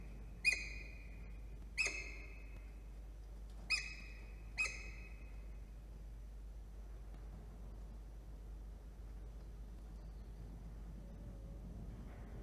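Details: Peregrine falcon at the nest while incubating three eggs, New South Wales, Australia, 27 September around dawn. Four sharp, harsh, harmonic notes ring out at uneven one- to two-second gaps, then about eight seconds of quiet background hum.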